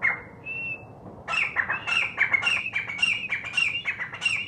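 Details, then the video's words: Grey francolin (desi teetar) call: loud, harsh, ringing notes repeated in quick bursts, about two a second, after a thin opening whistle. "Desi teetar ki awaz || partridge call|| grey francolin call|| bhore teetar"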